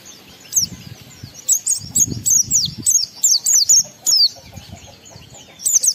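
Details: Oriental white-eye singing an energetic lure song to trigger breeding urge and singing in other white-eyes: a long run of sharp, high, rapidly repeated slurred chirps, with soft low rumbling early on.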